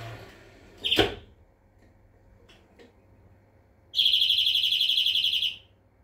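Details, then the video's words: European greenfinch singing: a sharp click early on, a pause, then a long rapid trill of evenly repeated bright notes lasting nearly two seconds. "Flurya Kuşu ötümü"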